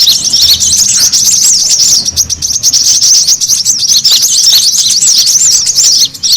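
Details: Brown-throated sunbird, busy lure sound for attracting birds and stimulating caged birds: a steady wall of very high, thin chirps and curling squeaks, layered and relentless, dipping briefly toward the end.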